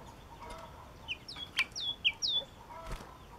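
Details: Yellow-cheeked tit singing: a short series of four clear, high whistled notes, each sliding down then levelling, spaced about a third of a second apart, over faint background hiss.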